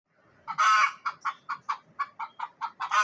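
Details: Frightened hen in a village in Neelum Valley, Kashmir, making a noisy outburst: one long harsh squawk, then a rapid series of about ten short clucks, roughly five per second, with a final rising squawk.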